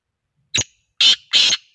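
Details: Black francolin from Sindh giving a rasping three-part call: a thin short first note, then two loud scratchy bursts a quarter-second apart, with silence around them.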